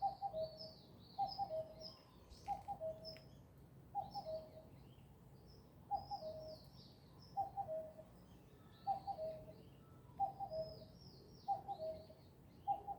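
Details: Bird singing outdoors: short low whistled phrases of two to three notes, falling at the end, repeated steadily about every 1.3 seconds, while thinner high twittering calls from other birds flicker above and a soft background hum continues.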